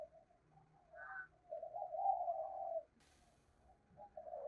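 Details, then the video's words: Cooing of a decoy spotted dove in the 'thổ' voice style: a faint low coo, then a longer wavering phrase over steady background hiss, with a brief click near the end. "tiếng cu gáy - Chim Cu Mồi Giọng Thổ Gáy Hay"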